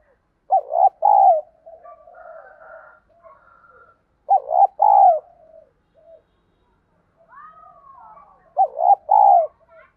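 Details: Spotted dove lure voice of the field type, played to coax new birds into cooing: three loud phrases roughly four seconds apart, each a broken double note then a full falling coo, with soft purring notes and distant higher calls between.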